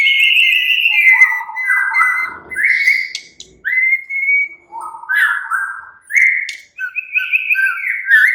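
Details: Murai batu, the white-rumped shama, in relaxed song: a continuous stream of clear whistles and rich warbled phrases alternating between high and lower notes, with short breaks between phrases.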